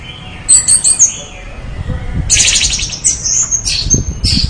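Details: Orange-headed thrush singing loudly: a few high whistled notes, a lower soft phrase, then a dense rapid chattering run and clear sustained whistles.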